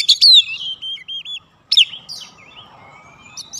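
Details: White-rumped shama song meant to provoke a response from other birds: a couple of short loud whistled phrases with a high descending slur and softer looping notes, with quiet gaps and faint background hiss.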